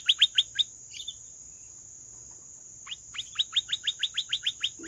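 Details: Canary giving quick series of sharp, downward-sweeping chirps, a burst of four, a pause with a soft note, then about a dozen evenly spaced chirps; a steady high whine runs underneath.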